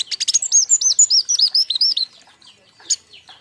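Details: King konin lure and master song aimed at young birds, a bird group recording: a rapid string of loud, clear, looping whistled notes lasting two seconds, followed by a few softer scattered calls.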